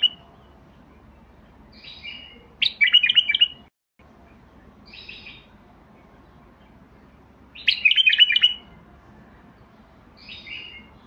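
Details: Basra bulbul singing: short bright chortled phrases, each about a second long, alternating with softer whistled notes, roughly every five seconds over a quiet background hum.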